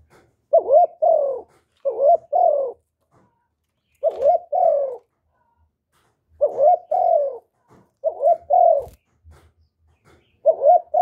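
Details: Spotted dove (cu gáy), a kept bird whose cooing is played daily to stir other caged males to call. Low, mellow, mid-pitched coos come in paired phrases, about six groups in steady succession with short gaps; no other sounds.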